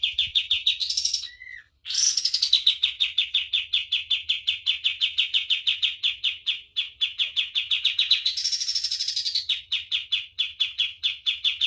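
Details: Common iora singing a long master song used to train birds: steady chains of quick, clipped chip notes, broken by a brief pause and two rising, buzzy high flourishes before the chipping resumes.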